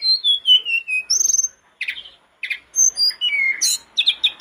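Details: Lively sooty-headed bulbul song used to stimulate other bulbuls: descending fluty whistles and a fast trill, broken by short raspy chirps, then further whistled notes and a burst of sharp high chatter.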